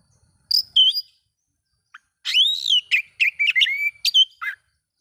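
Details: Oriental magpie-robin giving song that is said to agitate other magpie-robins: a couple of sharp notes, a pause, then a rich run of arched whistles, chattering trills and slurred phrases against near silence.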